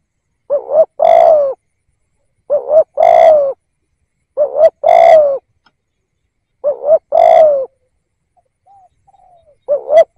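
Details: Spotted dove decoy calling steadily to lure wild birds: five two-part coos roughly every two seconds, each a short wobbling note and a longer falling coo. Faint soft notes sound between the later phrases.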